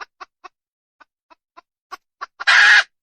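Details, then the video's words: Wild junglefowl hen: irregular clucks, some soft and some firmer, speed up toward the end and finish in a loud, grating squawk of about a third of a second. "Suab poj qaib qus tsauj dib tuaj zoo heev"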